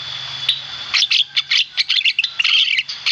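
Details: Chattering Javan myna song: a quick string of short, scratchy, chirping notes, several per second, after a brief thin whistle, with a faint low hum behind.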